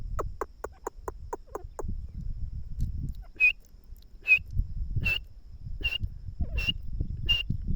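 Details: Francolin (teetar) enjoying itself near plants: a quick run of short descending notes, then clear high whistled notes repeated about every 0.8 seconds, with low rustling beneath.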